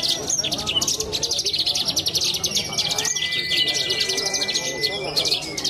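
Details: Young Horsfield's bush lark singing at a contest in Cilacap, a dense run of rapid, rattling high trills mixed with short squeaky whistles, over a faint steady tone and low crowd chatter.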